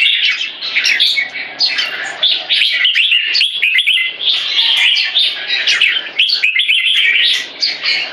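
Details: Red-whiskered bulbul kept in a cage, young with early red spotting, adopting a C-shaped aggression stance. Busy chattering and whistled notes pour out steadily, broken only by brief pauses.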